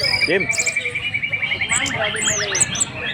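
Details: Long-tailed shrike, called anis merah, singing in the wild: a rapid run of repeated chirps near one steady pitch, then a cascade of quick downward-sweeping and rising notes, with a person speaking faintly.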